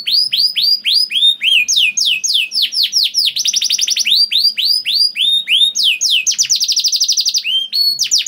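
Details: Canary singing its long rattling song to encourage other canaries to sing: looping arched notes about four per second, then steady buzzy trills and rolled rattles, strong and uninterrupted.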